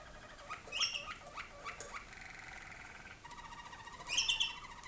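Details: Waterslager canary, a tutor for young birds in darkened training cages in North Canton, Ohio, USA: low gurgling rolls and bubbling notes, then a steady fast trill with bright chirps laid over it.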